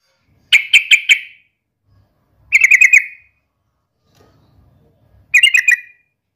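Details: Yellow-vented bulbul challenging a rival: three short bursts of fast, harsh rattling notes, each under a second long and spaced about two seconds apart, with near silence between them.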